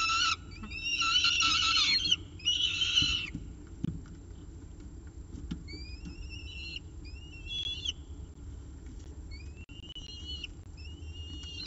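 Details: At the Orange nest on 24 October 2018, a peregrine falcon with its pigeon breakfast gives two loud harsh harmonic bursts, followed by quieter repeated upslurred whistles against faint background noise.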